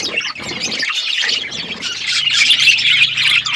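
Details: Several budgerigars kept as pets on a winter morning give high, rapid, overlapping chirps and scratchy squawks that build louder toward the end, over a soft low hum.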